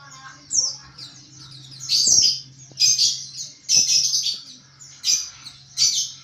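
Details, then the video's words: Pleci, a white-eye, in ngriwik-style chatter for training kept birds: short, high, squeaky twitter bursts repeated about once a second, each quickly rising and falling, over a constant low electrical hum. "Penggacor Pleci NGRIWIK"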